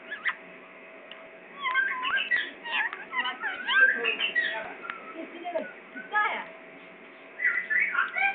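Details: Pakistani parrot giving a busy run of chattering, whistled and warbling calls, many short rising and falling notes clustered in bursts, with quiet pauses between and a faint steady hum behind.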